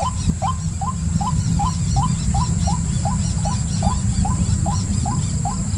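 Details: White-breasted waterhen giving short, upward-sliding notes in a steady series, about two to three per second for the whole stretch. A constant high whine and a heavy low rumble sit underneath.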